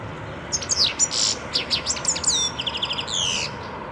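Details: European goldfinch singing, recorded in 2011: a bright, liquid tumble of high twittering notes, descending slurred whistles and a rapid buzzy trill near the end, continuous for about three seconds.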